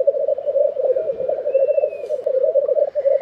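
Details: Black grouse lekking in Tiveden, Sweden, in April 2023, a steady pulsing low bubbling chorus with a drawn-out thin whistle from another bird in the middle.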